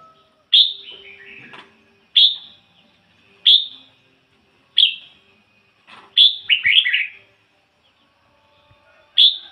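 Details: Ngoi bổi song from a decoy red-whiskered bulbul with a pure voice: crisp whistled phrases spaced one to two seconds apart against quiet, each with a sharp rising attack and falling tail, one longer rippling phrase midway.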